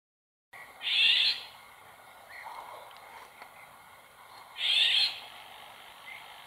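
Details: Female Eurasian golden oriole calling in the wild near a pond: two harsh, cat-like screeches nearly four seconds apart, each under a second long, with faint soft notes from other birds between.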